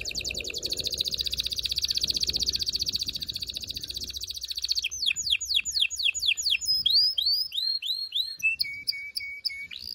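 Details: Strong continuous canary singing to prepare females and stimulate males for mating: a long rapid rolling trill for about five seconds, then descending sweeps and rising arched whistles with short tonal notes.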